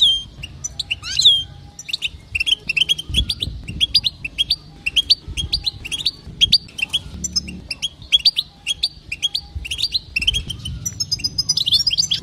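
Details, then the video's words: European goldfinch hen giving calls meant to excite males into song: a continuous, fast stream of high, tinkling chirps and short twitters, briefly louder near the start, with a low background rumble. "بتبته تهيج المقنين"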